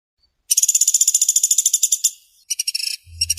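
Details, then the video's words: Woodpecker, known locally as pelatuk sampit or pelatuk beras, calling actively in fast, dense phrases: a long buzzy chattering rattle of rapid pulses lasting about one and a half seconds, then shorter rattles and a brief low thump. "burung pelatuk gacor speed rapat"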